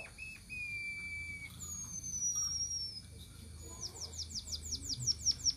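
A munia gives long, thin, drawn-out whistles, some high and slightly falling, then a quick run of sharp, down-slurred chips, about three per second. Faint background hum.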